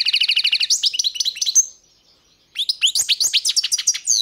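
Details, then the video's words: Goldfinch song in fast, buzzy trilled phrases with bright tinkling notes, interrupted by about a second of silence before another rapid stream of chirps and twitters resumes. "Pesma štiglića"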